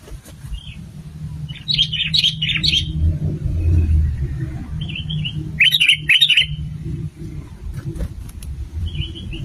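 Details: Sooty-headed bulbul, male and female, used as a lure for trapping. Short bursts of bubbly, chattering notes separated by pauses, with occasional lone slurred whistles. A steady low traffic-like rumble runs throughout.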